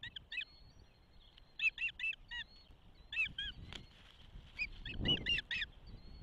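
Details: Nest-cam recording of an osprey at its Charlo, Montana nest on 12 June 2024 as the first egg hatched: scattered pairs and triplets of sharp, high whistled chirps, with a soft rustle or bump near the end.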